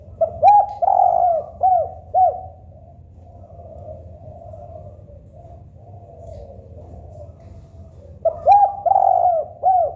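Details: Spotted dove (tekukur, local type) cooing: a phrase of several low, hollow, arching coos, a pause of several seconds with soft background hum, then the phrase starts again.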